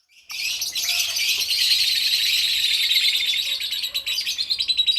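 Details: Caged colony of lovebirds of many colour varieties, including lutino, green, golden-headed, albino and red-eyed: a dense, continuous chorus of high shrill chattering and chirping that fades into rapid pulsed chirps near the end.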